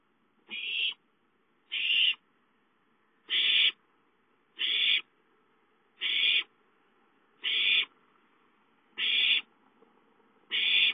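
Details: Owlets at home begging for food, recorded 5-9-13: eight rough, sibilant screeches in steady succession, roughly one every 1.4 seconds, with faint low rustling between.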